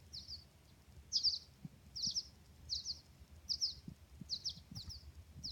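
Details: Baby birds calling: high, thin chirps delivered in quick pairs, repeated roughly every 0.7 seconds, over faint low thumps and light background noise.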